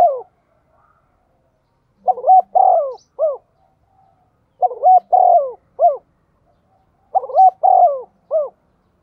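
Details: Decoy spotted dove, 'giọng thổ' voice style, cooing to provoke wild doves: three evenly spaced phrases about two and a half seconds apart, each two quick notes, a long rolling coo and a final upturned hoot.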